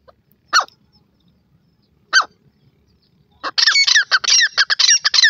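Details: Two single harsh notes spaced well apart, then a grey francolin bursts into a rapid, ringing chatter of clipped notes and rising squeals that carries through to the end.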